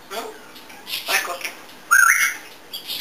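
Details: Talkative pet African grey parrot at home giving soft chattering, voice-like sounds followed by a brief bright upward whistle, with quieter rasps after.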